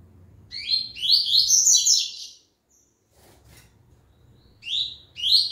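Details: Song of a Double-collared seedeater returning after its moult: a rapid, high chattering phrase of sweeping notes lasting over a second, a pause, then the phrase restarting, with quiet low hum beneath.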